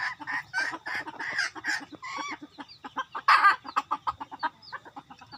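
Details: Rooster used as a decoy, uttering strong, nasal clucks in an uneven series, with one louder harsh note midway and quicker, softer clucks trailing off at the close.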